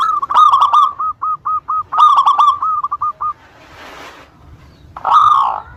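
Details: Local zebra dove song meant to draw answers from rival birds: two phrases of rapid cooing notes trailing into spaced single coos, a brief hiss, then a loud drawn-out note.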